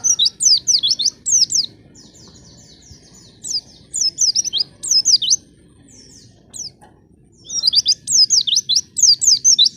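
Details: Lure song of a white-eye, meant to make raw, untrained white-eyes start singing fast: quick runs of high, thin, down-sweeping notes in clusters, broken by short quiet gaps, over a steady low background rumble.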